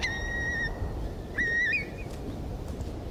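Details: Eurasian Curlew, a huge wader in massive decline, seen in winter, giving two clear, fluty whistles: a long level note, then a shorter one sliding upward in a 'cur-lee' lilt, over a low background rumble.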